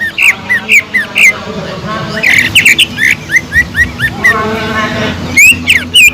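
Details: Greater green leafbird singing with kingfisher imitation: evenly spaced rising, ringing whistles, a quick chattering flurry midway, then more whistles and a faint murmur in the background.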